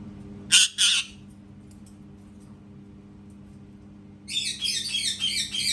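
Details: Parrot calling in a small room: two loud, grating squawks close together, a long quiet stretch, then a rapid, scratchy chatter of repeated harsh notes to the end.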